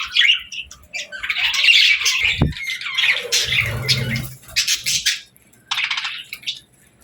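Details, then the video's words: Pet parakeets playing, singing and talking, giving a busy, scratchy high chatter of chirps and squawks that bursts on and off, with a few short pauses and a brief flutter near the middle. "Parakeets Playing, Singing & Talking | Relaxing Chirping Sounds"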